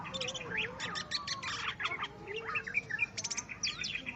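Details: Greater green leafbird singing on finally meeting a rival to fight: dense, fast stream of bright whistles, sharp chirps and rising slurred notes, with a lower wandering whistle beneath; continuous, energetic delivery throughout.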